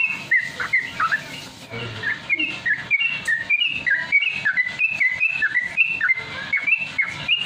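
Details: Rapid ropel song from a Sooty-headed Bulbul, a lure for teaching caged birds to sing quickly: brisk chain of whistled notes, rising and falling, after a brief pause near the start.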